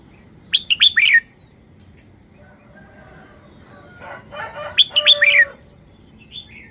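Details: As it shows its song style, a red-whiskered bulbul gives a quick four-note whistled phrase, then a second similar phrase, while a blurred, harmonic chattering sound rises underneath between and during the phrases.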